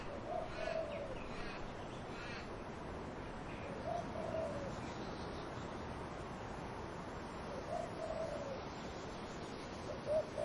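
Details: Low dove coos sound three times, about every three to four seconds, against constant wind blowing through trees.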